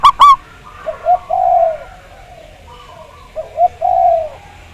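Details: Zebra dove, a local Javanese bird, in a lure recording for prompting song. Two sharp opening notes, then soft, low coos in two similar phrases, each a pair of short notes leading into a longer drawn-out coo.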